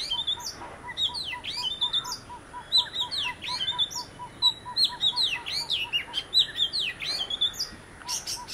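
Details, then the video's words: One of a visiting pair of Oriental magpie-robins sings a rich, varied string of sweeping whistles and chirps, perhaps imitating tunes heard nearby, over a steady quick low piping and a thin, constant high whine. "Magpie Robin - Singing"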